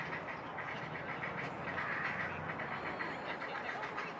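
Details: Grey heron (Ardea cinerea) chicks in a nest on an island beg from a parent, pestering it for food: a harsh, rapid clattering chatter of nasal, duck-like squawks, repeated without pause throughout.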